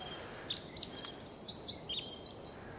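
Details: Eurasian skylark evening song on Ameland, near meadows and sea: a quick tumble of high, varied chirps and short trills lasting about two seconds, over a faint steady hiss.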